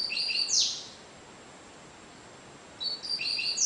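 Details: One Cigano-style phrase from a double-collared seedeater: high thin whistles and a sharp falling buzz. About two seconds of quiet follow before the next phrase begins with flat piping notes. The bird averages 30 songs per minute.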